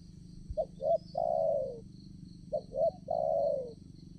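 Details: Spotted dove used while trapping wild doves at a new site: two short rising coos, then a long, drawn-out note that falls in pitch. The three-part phrase is heard twice with a faint low rumble underneath.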